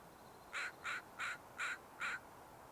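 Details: American Crow, morning, 30 April, Sargeant Bay Provincial Park, British Columbia, Canada, just flown up from the beach: five harsh evenly spaced caws, about one every third of a second, over a quiet background hiss.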